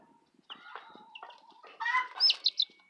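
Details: Southern Rambler chicks and a Golden Comet chick: a low steady tone and scattered soft chirps, then a louder run of sharp, high peeps near the end.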